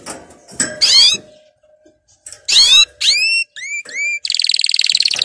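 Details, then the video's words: Canary song for training: varied phrases of descending whistled sweeps, bright chirps and clipped notes separated by short pauses, ending in a fast buzzy trill, with a faint steady low hum and some room echo. "Canary 's most powerful song for training"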